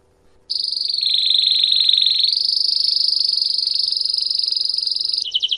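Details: After a short silence, a canary launches into a long campainha song for teaching young birds: a sustained, very fast buzzing roll that steps up in pitch midway, then breaks into a slower pulsed trill at the end.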